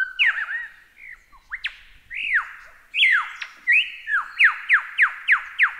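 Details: Lyrebird song recorded as masteran tutoring material: loud, clear, varied whistles that loop and swoop, then a series of sharp descending whistled notes repeated about three times a second.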